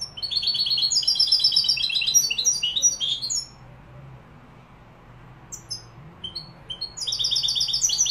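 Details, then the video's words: Singing European goldfinch associated with Malaga and Morocco: rapid liquid twittering and tinkling trills for about three seconds, a pause with a few scattered high notes, then the twittering resumes. "jilguero malaga maroc. أداء روعة ماشاء الله تغريد كوبيا ملقا"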